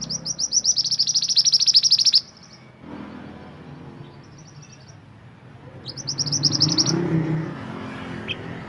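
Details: Mantenan gunung song for training songbirds: a long fast trill of high, staccato notes for about two seconds, a faint short trill later, then another rapid burst, with low background rumble throughout.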